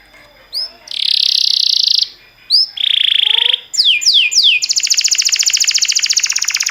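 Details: Canary song for training canaries: short upslurred notes introduce two buzzy sustained trills, then three falling sweeps lead into a long, rapid rolling trill.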